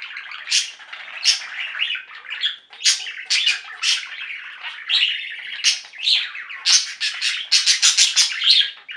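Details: Singing budgerigar flock kept indoors, loud busy warbling of overlapping chirps and squawks, growing denser toward the end with rapid clustered high notes.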